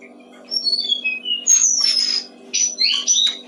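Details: Short brown-streaked flycatcher phrase for songbird training: descending series of thin whistled notes, then a long drawn high whistle and a final cluster of quick chirps over soft hum.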